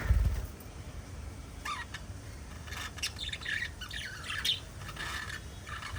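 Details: Chatter from five pet budgies: after a quiet start, a run of warbling, rising-and-falling chirps and scratchy squawks builds up in the second half, with a low background rumble.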